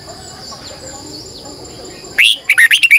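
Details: Bulbul song, red-whiskered, from a morning decoy bird in 2020 used to draw wild birds. About two seconds of soft background murmur, then a sudden loud whistle and a rapid string of chirpy, slurred notes.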